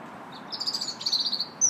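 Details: Robin in song in a park in early March (2nd): a quick, fluttering warble of high notes pulsing rapidly for about a second, ending in a sharp, very high whistle.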